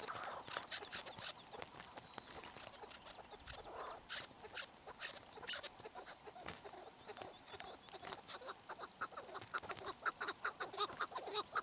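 Chukar partridge calling in a rapid run of dry, clucking chuck notes, speeding up and growing louder toward the end, over a steady background hiss.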